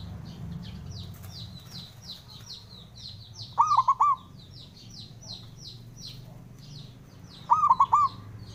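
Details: Calling male zebra dove, local Indonesian bird, used to spur quiet doves into song; two bright looping coo phrases of four quick notes, several seconds apart, over a steady wash of high twittering from other small birds.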